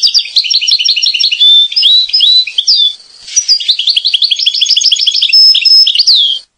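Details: Corsican European goldfinch song: fast, bright twittering phrases of repeated tinkling notes mixed with sliding whistles and short buzzes, briefly dipping in loudness around the third second before resuming.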